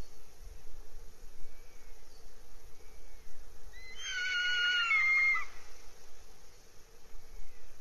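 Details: Northern goshawk at a nest in Abernethy Forest, Scotland, early July 2022, giving one loud, rich, harsh wailing call of about a second and a half midway through, with faint thin whistles before and after against continuous hiss.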